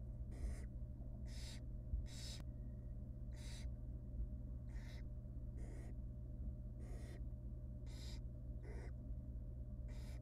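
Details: Begging barn owl nestlings in a wild nest box as the female tears up a rabbit and feeds them; a rapid string of about eleven rasping hisses, each under half a second, with a constant low hum beneath.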